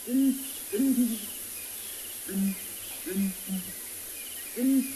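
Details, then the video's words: Breeding pair of southern ground hornbills, male and female, booming together at sunrise at Ngala in South Africa: deep, low hooting booms in groups of two or three, answering each other, over a steady high insect hiss. "of ground hornbill, and I'm actually going to keep quiet just for a little while, just so you can hear the booming call of this pair. Lovely, isn't it?"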